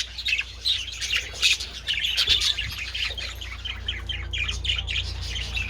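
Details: On 27 February, budgies enjoying treats in the sun mix harsh squawks with high chirping chatter, loudest in the first half, over a steady low hum.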